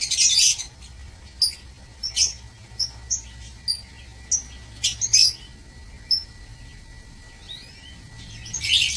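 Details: Aviary lovebirds calling with separate short, sharp high chirps about every half second, framed by dense shrill chattering bursts at the start and end.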